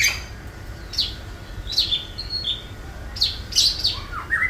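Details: Long-tailed shrike, a caged competition bird, singing learned material of other birds: sharp separate whistled notes and short descending slurs every half second or so, ending in rising and falling chirps.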